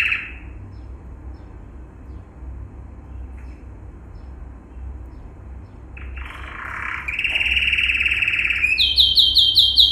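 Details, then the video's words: Yellow male canary, Serinus canaria, singing a training song for other canaries. After quiet low hum, bright notes begin near six seconds, then a loud, steady, high rolling trill builds, ending in sharp, rapid buzzy phrases. "Yellow Canary singing video - Serinus canaria - Canary Training Song"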